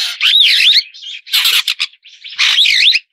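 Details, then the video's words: Superb starling with loud harsh, wavering, buzzy calls carrying looping whistled inflections, given in three long bursts separated by short softer notes. "栗頭麗椋鳥/Superb Starling"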